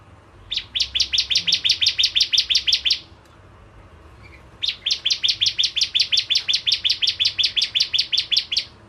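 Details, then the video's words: Bar-winged prinia in lively lure song for crystal ciblek: two dense, rhythmic trains of bright high chirps, fast and evenly spaced, with a short quiet break between them. "Burung Prenjak Jawa Gacor Pancingan Ciblek Kristal"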